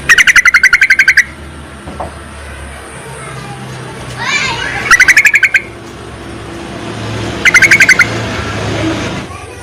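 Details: Yellow-vented bulbul giving a call to attract males, used as a lure: three loud bursts of rapid, bubbly repeated notes, about ten per burst, separated by pauses with background hum and faint noises.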